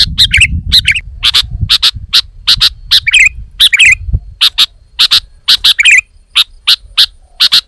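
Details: Sooty-headed bulbul, described as female, repeats sharp clicking chips, mostly in pairs and triplets, with several squeaky twisted notes mixed in, over low rumbling noise that fades in the second half.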